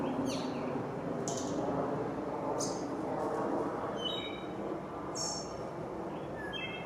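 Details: A Wood Thrush (Hylocichla mustelina) sings during spring migration in Brooklyn, New York City: short, high fluted phrases ending in thin, buzzy trills, one phrase every second or so, over a steady low background rumble.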